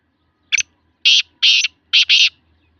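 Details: Black francolin in Sindh, Pakistan, giving its call: a brief first note followed by four harsh, raspy bursts, the final pair delivered nearly back to back, over a quiet low hum.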